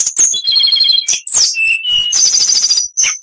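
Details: Oriental magpie-robin (kacer) singing at full strength, a full-material master recording for tutoring other birds. Loud varied phrases of sharp high whistles, rapid buzzy trills and slurred notes follow each other with barely a pause.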